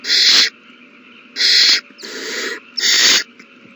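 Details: Owl chicks fed a big meal on March 27, 2020, begging loudly: four harsh, breathy screeches, the third softer and longer, spaced about once a second over a low constant hum.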